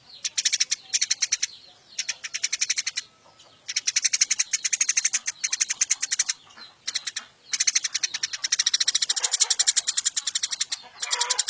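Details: Eurasian tree sparrow, wild-caught and kept in a cage as a tutor for songbirds, delivering long loud runs of very fast, evenly pulsed high chirping with brief breaks.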